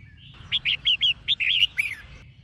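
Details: Red-whiskered bulbul female singing to excite males: a lively phrase of seven or eight quick, rolling, warbled whistles delivered in about one and a half seconds.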